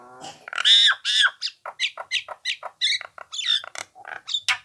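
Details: Nias hill myna used as a songbird-training recording: a nasal rising tone, two loud harsh squawks, then a lively string of short varied chattering and whistled notes, roughly four per second.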